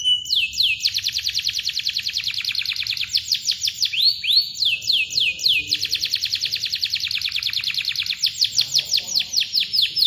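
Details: Canary song with long, tight rolling trills of cuit-cuit chirps, used as a master recording to get birds that have stopped singing to sing again; fast repeated descending notes run almost continuously with short breaks.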